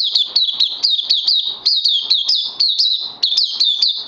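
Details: Oriental white-eye, day two of Lava Direct and Life Force supplements, 31 May 2020, sings an unbroken string of bright, high chirps, each sharply slurred downward, about five notes a second.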